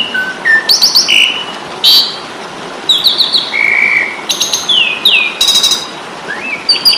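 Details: Asian pied starling in fighting song, used to train songbirds: assorted whistled slurs, a drawn-out level whistle, harsh noisy bursts and falling notes, scattered across the phrase with steady background hiss.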